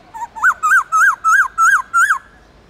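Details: Captive Black-throated laughingthrush from the Central Highlands singing in its wild-type song: six loud, clear whistled notes, each rising then falling, about three a second; no other sounds.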